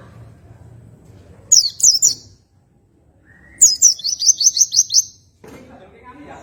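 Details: Oriental white-eye in ngroll tembakan santai style: a brief high chirped phrase, then a longer run of evenly repeated piercing notes, with a soft low rumble in the background.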